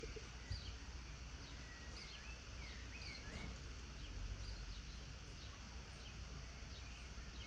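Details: Birds chirping in a garden at sunset: short, thin, sweeping chirps and twitters scattered through the clip over a steady low rumble of environmental noise.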